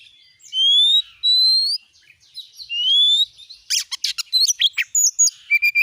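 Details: Oriental magpie-robin lure song for a kept bird: two long, clear upslurred whistles, a softer warble, then a quick string of sharp chips and high squeaky notes.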